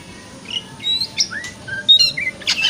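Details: White-rumped shama song used in the morning to stimulate a shama to open its tail, in the ngeplong style: short whistled and slurred notes, some rising, others dropping, with buzzy bursts between them.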